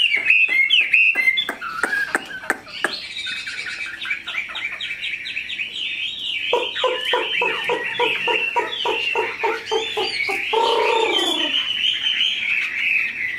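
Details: Tame, big-bodied caged Chinese hwamei singing: rapid varied run of warbled, chattering notes, then a long stretch of evenly repeated harsh, clucking pulses with a higher warble above, ending in a short falling slur.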